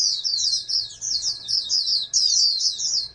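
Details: Rapid high-pitched warbling from a captive-bred oriental white-eye kept as a future national champion, flowing continuously with one short break after two seconds, faint hum behind.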